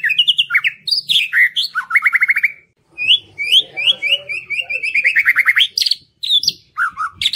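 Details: White-rumped shama lure song meant to prompt quiet birds to join in: rich, continuous whistled song of varied phrases, fast rattling note series and descending trills, with brief pauses.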